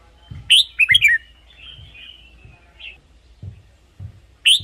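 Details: Caged red-whiskered bulbul song, played to rouse other birds or as a decoy. A bright warbled phrase of rapid looping whistles, then a thin drawn-out note, soft thuds, and the phrase starting again at the end.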